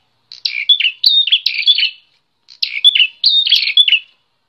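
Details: A Bar-winged prinia described as a combative visiting bird sings two dense bursts of scratchy, buzzy chattering notes with thin whistled slides. A pause of about half a second separates them.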